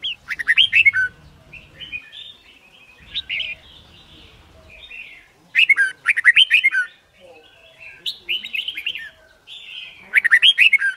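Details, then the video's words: A captive red-whiskered bulbul, used to train birds in competition singing, sings bright, bubbly warbled phrases of about a second each, repeated every two to three seconds, with softer chatter in between. "Luyện Chim Chào Mào Má Trắng Học Giọng Nhanh. Chào Mào Hót / Chào Mào Hót Đấu"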